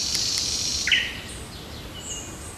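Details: Morning birdsong from a park and forest on June 8: a high buzzy trill opens, then a sharp downward chirp and faint thin whistles over quiet background hiss.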